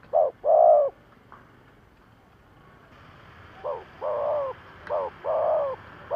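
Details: Lure spotted dove for catching wild doves: one double coo, a silent gap, then more short-and-long coo pairs over a rising background hiss, possibly a vehicle.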